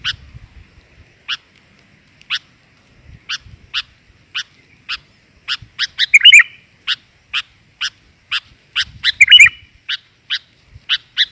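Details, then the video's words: Female sooty-headed bulbul call used to lure males: sharp, dry chips repeated about twice a second, broken by a few brighter warbled notes. "BURUNG KUTILAN GAJOR, COCOK UNTUK PANCINGAN"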